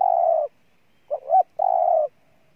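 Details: Spotted dove from Ninh Thuận province, Vietnam: a long, mellow coo, a brief double note rising in pitch, then a second drawn-out coo of the same low pitch.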